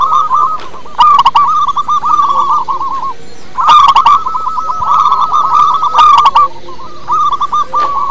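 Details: Big-voiced local zebra dove singing as a lure for other doves: long phrases of rapid hooked cooing notes, pausing briefly between runs, with crisp clicking bursts mixed in.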